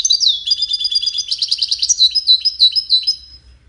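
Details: Song competition entry from one of five wild European goldfinches: a continuous, lively, high twittering phrase mixing sharp chips, rolling trills and slurred whistles for over three seconds.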